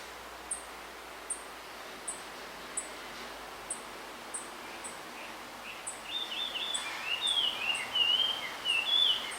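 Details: Male blue rock thrush calling for a female in a bamboo grove: after several seconds of thin high ticks from another bird, a loud warbled whistled phrase with rising and falling slurs enters and continues to the end.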